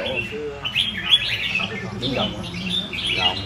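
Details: Red-whiskered bulbul, a kept cage bird, singing bursts of bright chirpy whistled notes that rise and fall, several short phrases in a few seconds, while a man talks nearby in Vietnamese.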